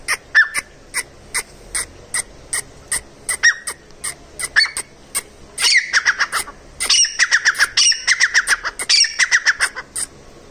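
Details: Wild grey francolin (jungli desi teetar) calling: sharp clicking notes at a steady pace, then loud rapid ringing phrases of repeated high, strident notes run together in fast bursts.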